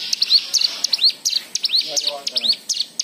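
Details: White-eye singing as a prompt for other birds: a brief run of sharp high chips and rising whistled slurs, with a faint, lower warbled phrase in the middle.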